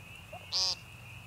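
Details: American woodcock, also called timberdoodle, peenting at Young Conservation Area in the northern Missouri Ozarks on March 28, 2015: a faint soft note, then one short, loud, buzzy nasal peent lasting about a quarter second, over a steady high thin whine.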